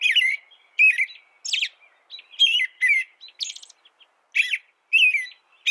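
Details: An American robin delivers quick caroling phrases, some downslurred, some with shrill high squeaks, spaced irregularly over a few seconds with a brief pause in the middle; clean, noise-free tutor recording.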